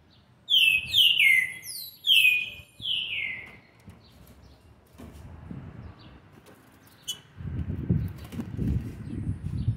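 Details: A young green-winged saltator, seven months and 20 days old, recorded 13/11/2020, sings a burst of five loud, rich whistled notes, each slurring downward, then falls silent over a low background rumble.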